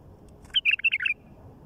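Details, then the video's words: Wild bulbul singing out in nature: one quick phrase of five bright, chirpy whistled notes over a faint background hum. "تغريد بلبل وحشي على الطبيعه"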